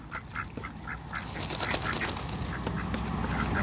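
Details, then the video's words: Quick series of brief, soft calls, about two each second, from a pair of Muscovy ducks playing with water in a backyard, over a low hum and splashing. "COUPLE MUSCOVY DUCKS AFTER THE CREATE WATERBIRDS & PLAY WITH THE WATER IN THE BACKYARD"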